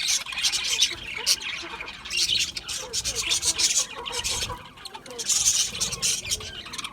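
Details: Busy budgerigar chatter: scratchy squawks and chirps arrive in uneven waves, dipping briefly before a final loud burst.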